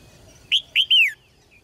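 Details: Caged red-whiskered bulbul singing, its song used to spur male birds into strong singing: a single quick phrase of three bright whistled notes, the last slurring downward.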